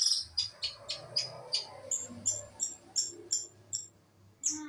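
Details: Long-tailed shrike from East Java giving a steady series of short, sharp, very high chipping notes, roughly three per second, ending with a brief higher squeak after a pause.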